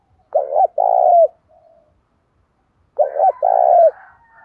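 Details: .Spotted dove of the đồng pha voice type, used to spur decoy birds to coo and fight. Two phrases about 2.7 seconds apart, each a short low coo followed by a longer, drawn-out, slightly falling coo.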